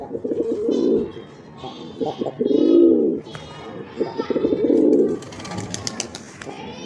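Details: Black pigeons cooing to each other, described as attack sounds: deep, throaty, rolling coos in three swelling phrases about two seconds apart, with softer broken notes between and a faint voice in the background.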